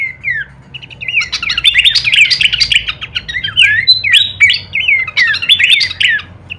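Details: Full-variation kleperan song of Horsfield's babbler, used as masteran audio for songbirds: rapid, dense tangle of whistles, squeaks and buzzy trills building into an energetic outburst, over steady background hiss.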